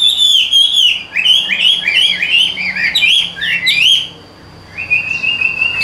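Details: Caged Hwamei, a Vietnamese songbird with golden bill and legs, singing quick bubbling whistled phrases in a rising and falling run, then a pause and one long steady whistle.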